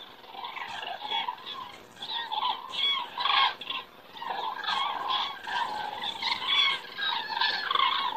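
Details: Common cranes flying and circling in the sky over Estonia on an evening in September 2017; many birds give overlapping bugling calls that swell and fade in bursts.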